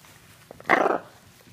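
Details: One of two pet Hyacinth Macaws playing together gives one harsh, raspy squawk lasting about a third of a second, after two soft clicks, in an otherwise quiet room.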